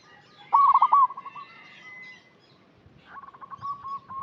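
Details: Zebra dove, local type, calling eagerly as a lure for birds still in training: one loud, rapid, rippling coo phrase fading into softer repeated coos, then a quieter second bird-like run of coos.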